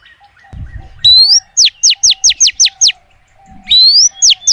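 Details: Female oriental magpie-robin calling to males: a rising upslurred whistle, then a run of about seven quick sharp downward-sweeping notes, ending with another rising whistle and descending note.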